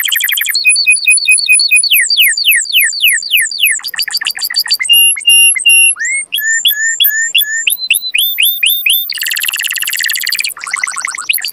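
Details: Canary singing to encourage mating and teach young birds to sing; runs of repeated whistled notes and down-slurred chips, fast rolling rattles, upswept whistles, then dense buzzy trills near the end.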